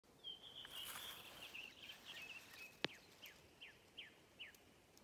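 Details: Redwing singing at Hedströmstjärnen, Galtström, on 7 June 2023: a thin high trilling phrase held at one pitch, then a run of short, quick descending whistled notes repeated about every half second, with one sharp click amid quiet background.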